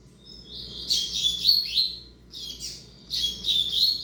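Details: Young male double-collared seedeater, son of a tournament bird, singing two rapid high warbled phrases of buzzy, twittering notes separated by a short pause, with a quiet low hum underneath.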